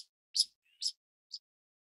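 Pied kingfisher giving three sharp, high, scratchy chirps about half a second apart, the last one softer, against a quiet background.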